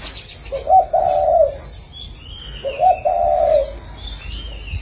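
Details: Morning cooing of a spotted dove from a breeding garden in Ba Vì, Vietnam: two drawn-out, low, mellow coo phrases about two seconds apart, with faint high chirps from other birds in the background.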